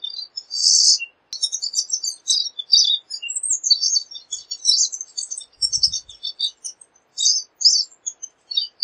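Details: Pine siskin (Spinus pinus) song: a continuous, fast, jumbled warble of high twittering notes and short buzzy trills, varied and unbroken across the whole stretch.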